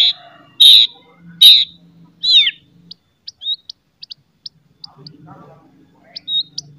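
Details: White-rumped shama singing loud, sharp song with chattering notes, meant to provoke other shamas into singing: three strong high whistled bursts, a descending sweeping phrase, then faint scattered short ticks and a low murmur.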